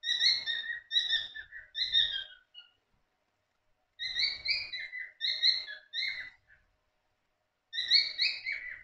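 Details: Pet cockatiels in the morning give bright, rasping two-note chirps in quick bursts, each phrase sliding slightly downward.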